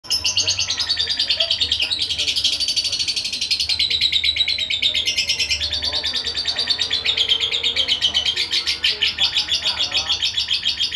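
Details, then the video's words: Aggressive young lovebird, two and a half months old, giving a nonstop stream of shrill, harsh chirps and chatter, densely packed and high-pitched, with only brief dips in intensity across the whole stretch. "Love bird jahat paud umur 2.5 bln"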